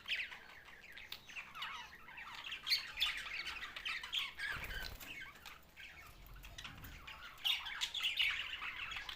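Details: Continuous scratchy warbling and chirping from budgerigars in Larkana, Sindh, with overlapping birds and a brief low rumble near the middle.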